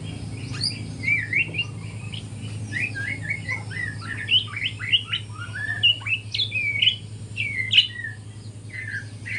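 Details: White-rumped shama, a speckled young bird learning to sing in the morning: a rich, varied run of whistled and chattering phrases, slurred notes rising and falling, delivered almost without pause, with a steady low hum behind.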